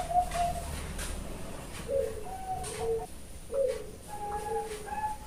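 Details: A female Bangkok-type zebra dove at a bird farm in Kebumen, Central Java, Indonesia, gives a series of soft, low cooing notes, short pulsed mid-pitch phrases repeated several times, with faint room noise beneath.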